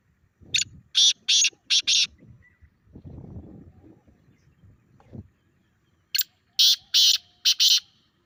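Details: Grey francolin call played to a pet francolin to make it react, with two groups of four loud, grating, broadband notes separated by a few seconds of low rustling.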